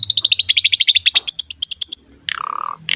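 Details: Energetic Asian pied starling song, used as a lure recording for other songbirds: a fast run of about twenty sharp chirps, rising slightly, then a falling slurred whistle and a harsh note.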